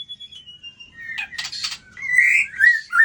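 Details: White-rumped shama, flicking its tail to intimidate a rival, opens with a long, clear, slowly falling whistle. Harsh rasping notes follow, then bright warbled whistles rising and falling near the end.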